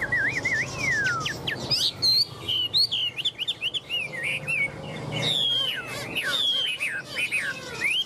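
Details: Chinese hwamei, a tame caged bird in Vietnam, delivers long sliding whistles, then dense, varied warbled phrases with rapid trills and upward slurs, sung almost without pause over a low background hum.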